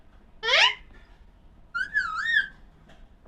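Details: An Alexandrine parakeet, called pahadi parrot, gives one harsh rising screech, then a wavering whistled phrase, in a quiet room.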